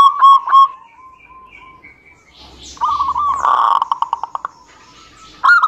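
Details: Zebra dove song used as a lure for quiet doves: two loud opening coos, faint scattered notes, a brief noisy rustle, then a rapid rolling series ending in one loud coo.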